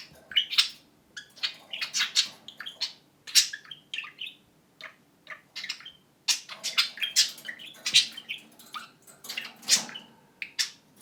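A budgerigar chatters in fast, high, scratchy bursts of mimicked speech with short pauses, then gives a clicking imitation of a camera shutter.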